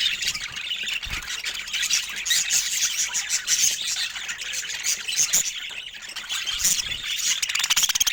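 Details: Pet budgies chirping in a dense, continuous high-pitched chatter of overlapping twitters and squeaks, with no pauses throughout.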